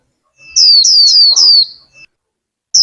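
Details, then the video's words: Female warbling white-eye kept as a cage bird in Vietnam, calling to excite the male into singing: a rapid run of four sharp descending whistles, a faint trailing note, then one more high falling whistle. "Khuyên mái kích thích chim trống líu!"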